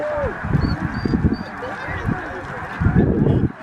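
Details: Snow geese gathered by the thousands at Middle Creek Wildlife Management Area, Stevens, Pennsylvania, USA, 26 February 2023. A clear nasal honk opens, then a dense clamour of overlapping calls swells twice.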